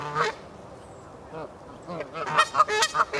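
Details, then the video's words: Canada geese in the Hertener Schlosspark, where soft low grunting notes give way to a quick series of loud, harsh honks in the final second. "Kanadagänse im Hertener Schlosspark"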